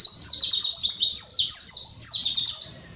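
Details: Continuous, piercing warble from a Japanese white-eye, its 'gacor ngalas' song a quick stream of high notes that each drop sharply in pitch, with no gaps.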